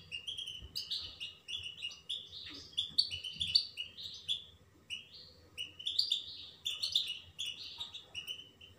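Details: European goldfinch singing: a rapid, continuous twitter of bright chirps and short slurred notes, delivered in quick bursts with brief pauses, clear against a quiet background with a faint low hum.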